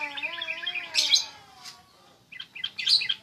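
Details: Sooty-headed bulbul during a mental test: bursts of harsh, buzzy chirps high in pitch, with steady low tonal lines beneath in the first half, a short pause, then more scratchy chirp bursts near the end.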